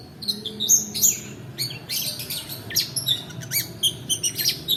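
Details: Long-tailed shrike song meant to coax lazy singers and tutor other birds, long 'roll' type: a busy stream of high, quick chirps and squeaks with brief pauses, over quiet background hum.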